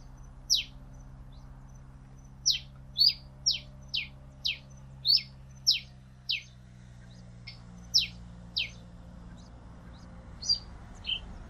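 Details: Pileated finch singing a long series of high, clipped, falling notes, mostly evenly spaced with a few brief gaps, accompanied by a low steady hum.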